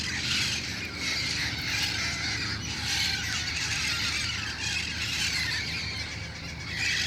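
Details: Flock of wild red-crowned parrots at dusk in El Cajon, about to fly to nearby roost trees; shrill, grating calls overlap densely and without pause, swelling slightly at moments, above low background rumble.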